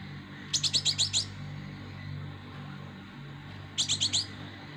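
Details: Young plain flowerpecker, called kolibri ninja and described as a fighter: two quick bursts of about six very high, sharp, ticking notes, separated by roughly three seconds of quiet, over a low background hum.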